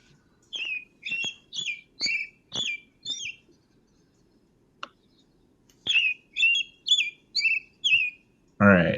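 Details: American Robin song, recorded in July: clear, warbled phrases in short groups of rising and falling notes about every half second, a pause between sets, ending with a brief voice.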